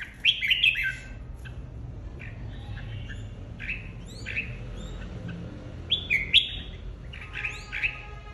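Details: Red-whiskered bulbul flock leader, newly separated, in competitive singing: short warbled, slurred phrases in bursts, with pauses between them and a low background hum.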